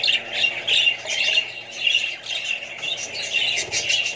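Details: Budgerigars, adults with babies among them, in a flock: dense, continuous high chirping and squawky warbling chatter from many birds at once, with louder bursts every second or so over a low steady hum.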